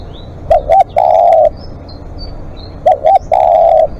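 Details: Live decoy long calling by a spotted dove: two phrases of paired short coos and a held coo, with thin high whistles from other birds in the background.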